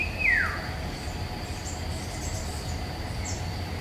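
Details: Eurasian golden oriole singing in woodland in May 2021: a single loud whistled note sliding quickly downward, then a steady high insect-like hum, a faint distant chirp and low background rumble.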